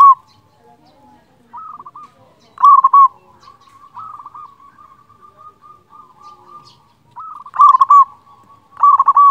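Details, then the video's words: Local zebra dove with a large voice, singing eagerly, used to draw out song from idle doves. Soft coo runs and a long, low, wavering coo stretch are broken by loud bursts of rapid coos near 3, 8 and 9 seconds. "Perkutut lokal gacor suara besar Masteran perkutut bikin yang malas jadi bunyi"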